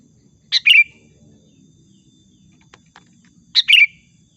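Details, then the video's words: Lively sooty-headed bulbul lure song for trapping birds: two brisk chirpy phrases three seconds apart, each opening with a sharp note and ending in a short bright trill, with faint clicks between and otherwise near silence. "SUARA PIKAT BURUNG KUTILANG GACOR"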